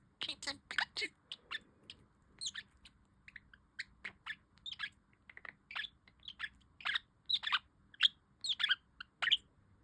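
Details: Pet budgerigar calling with a steady series of sharp, bright chirps and short scratchy tweets, spaced roughly every half second, growing louder near the end; quiet room with no other sounds.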